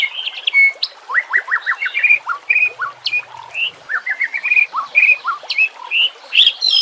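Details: White-rumped shama, murai batu, singing for training and luring, with nature and water sounds behind: runs of rising whistled notes repeated in quick succession, sharp downslurs and varied bright phrases.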